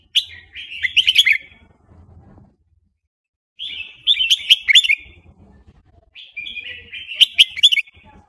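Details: Red-whiskered bulbul, a Burmese-type bird singing a fast wild-style song: three bursts of bright, warbled, bubbling phrases about three seconds apart, each ending in sharp clicking notes, with faint low rumble between.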